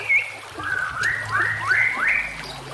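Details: White-rumped shama on a training master track: a series of rising whistled slurs, each swooping upward, given about every half second, with running water underneath.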